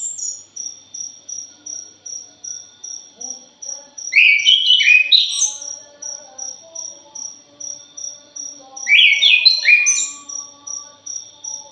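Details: Thrush song of the punglor jali style, used as a lure: two separate bursts of hurried, tumbling whistled notes over an unbroken, evenly pulsed insect chirping.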